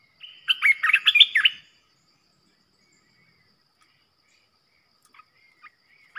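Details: Decoy recording of a red-whiskered bulbul, played to provoke rival bulbuls, opening with a rapid warbled phrase of bright chirping notes, then near silence broken by a few soft distant chirps.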